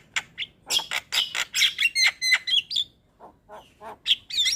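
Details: Javan myna song, played to prompt a lazy bird to sing: a jumble of sharp chirps, harsh squawks and short whistled notes. A brief quiet stretch precedes a few final high whistles.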